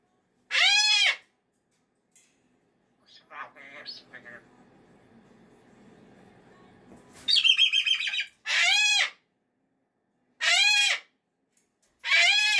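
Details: Monday morning meltdown from a pet cockatoo unhappy that the weekend is over: piercing screams repeated every couple of seconds, broken by a stretch of softer, chattering, mumbled sounds before a higher squawk and more screams.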